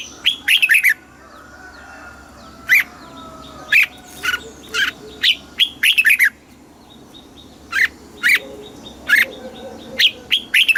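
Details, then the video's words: Song of a caged red-whiskered bulbul in the southern master style, meant to stimulate caged birds and teach chicks; a lively run of short, bright chirps, some in tight doublets and triplets, others single, continuing irregularly throughout over a low hum. "เสียงนกกรงหัวจุก สำหรับต่อ หรือ เปิดให้นกคึก"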